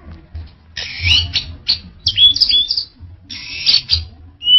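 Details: Orange-headed thrush singing in a varied phrase of harsh buzzy bursts around high pitch mixed with clear whistled notes, separated by short pauses, with low background hum.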